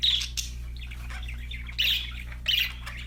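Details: Budgerigars chirping: scratchy bursts of warbled chatter around the upper-middle range, louder outbursts at the start and again near two and two and a half seconds, over a steady low electrical hum.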